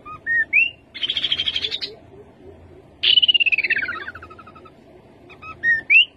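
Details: Rufous-capped babbler singing: short clear whistled notes, one rising, then a high buzzy pulsed trill, a pause, and a descending rattling trill, ending with more brief rising whistles; a steady low hum underneath.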